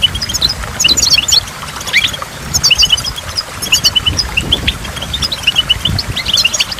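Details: Near a waterfall, a goldfinch pours out lively twittering song: clustered high chirps and short trills in bursts, with brief gaps and a low background rumble.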